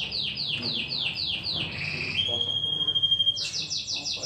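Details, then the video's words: Caged domestic canary under song training gives a series of about eight descending slurred notes. A long pure whistled tone follows, then a quick burst of rapid rising notes. "COMO TREINAR O SEU CANÁRIO!!! ELE VAI CANTAR LINDO EM POUCOS DIAS!!!"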